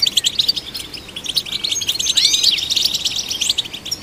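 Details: Goldfinch song intended to stimulate goldfinches. Busy, tinkling twitter of quick high chirps, broken by looping, curving whistled notes near the middle.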